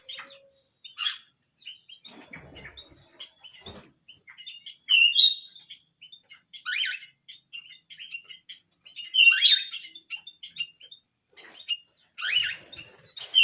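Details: Small canary singing actively: scattered high chirps and short whistled notes, with louder broadband sweeping bursts near five, seven, nine and twelve seconds separated by quieter ticking.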